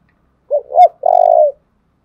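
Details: Spotted dove in Dong Nai, Vietnam, in a lure-style coo for provoking and training decoy birds: a quick soft hoot, a stronger looping note, then a long buzzy-edged mellow coo falling at its end.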